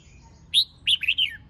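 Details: Short phrase from a female red-whiskered bulbul singing to rouse males: one clear whistled note, a pause, then a quick slurred descending warble.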